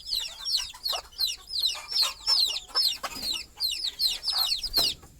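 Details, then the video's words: While their mother hen sleeps on the nest perch at night, baby chickens keep chirping. Shrill, slurred peeps overlap steadily, about three a second, with occasional soft scratches and a sharp tap near the end. "Mother Chicken Calling Chicks Go to Sleep - Baby Chicken Chirping Noises"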